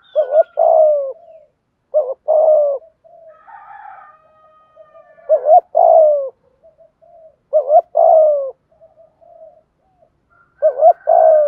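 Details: Cooing spotted dove used as a lure for wild doves: repeated two-part phrases, a brief hoot then a drawn-out soft coo, roughly every two to three seconds, with a faint higher whine between phrases.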